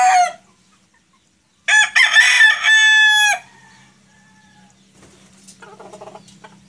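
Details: Rooster of the Sweater breed, white and combless, gives one strong crow of about a second and a half, rich and strained, ending in a drawn-out fading note, followed by soft clucking and a low hum.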